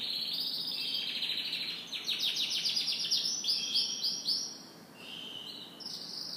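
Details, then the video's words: Canary morning song: high trill opening into a fast run of repeated downward sweeps about four per second, then a lower sustained trill and a final bright high phrase. "Canary Morning Singing"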